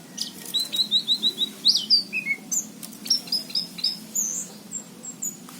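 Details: Orange-headed thrush singing in lively form, a varied run of high whistled and slurred notes, short repeated phrases at first then rising and falling sweeps, with faint low hum beneath.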